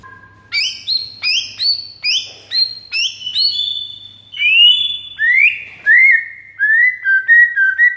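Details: White-rumped shama master song aimed at drawing responses from other shamas: a series of sharp high chipping notes, then long rising and falling whistled sweeps, closing with short rapid whistles; faint low hum underneath.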